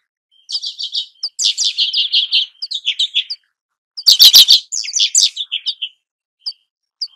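A redpoll gives quick runs of dry, high chattering notes, several bursts over a few seconds, with one harsher buzzy burst in the middle.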